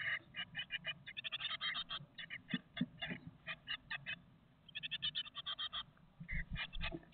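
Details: Young great tits fledging one after another from a nest box late in the morning, eight siblings about 20 days old: rapid runs of short, high, sharp chirps in quick series, pausing briefly, then resuming, with faint low thumps beneath.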